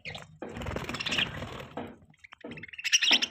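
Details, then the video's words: Budgerigars chirping during mating, with bright high chirps and a dense patch of broadband chatter and rustling in the middle, then sharper chirps near the end. "Beautiful budgies chirping sounds | Budgie chirping sound | budgies mating"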